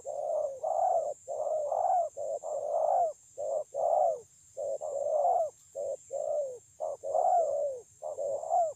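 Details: Spotted dove singing energetically on 9 June 2020: a rapid, nearly continuous series of rolling coos and short clipped notes, phrases tumbling one after another for nearly nine seconds, over a constant high faint hiss.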